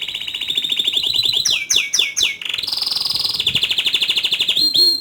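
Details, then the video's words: Canary (kenari) in energetic full song, rolling (ngerol) and shooting (nembak) style: dense rapid rolled trills, a run of quick downward-swooping notes, then a higher sustained roll, continuing without pause. "Kenari Gacor Ngerol Nembak Suara Kicauan nya ISTIMEWA"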